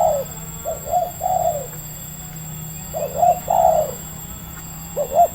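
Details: A medium-voiced wild spotted dove at Libaas, Indonesia, answering a trapper's lure: two bursts of hollow coos, short notes leading into a longer slurred coo, separated by a pause, with a low steady hum beneath.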